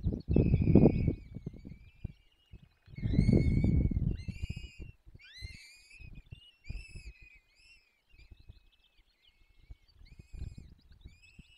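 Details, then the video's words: Peregrine falcon nestlings fed at a forest nest in the Barycz Valley, Poland, on 17 April 2024: loud, rapid high whining squeals, several birds overlapping, alternating with bursts of low rumbling noise and quieter stretches. "Dolina Baryczy - Karmienie piskląt - 2024 04 17 sokoły wędrowne"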